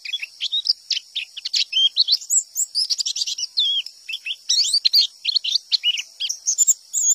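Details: White-eye of wild stock in full "tembakan" song, said to draw replies from other white-eyes. Dense, high, jumbled twittering with swooping and slurred notes, delivered without pause throughout.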